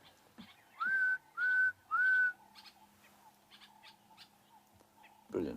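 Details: At dawn on a bush walk, amid a mixed bird party, a sombre greenbul gives three loud, clear whistles, each sliding up then holding steady, about twice a second, over faint calls from other birds and a speaking voice.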